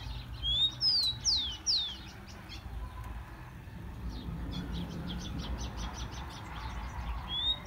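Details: Tico-tico, the rufous-collared sparrow, singing a warm-up song for caged birds. A few clear downslurred whistles open the clip, then it fades into scattered faint ticks and chips over low background rumble.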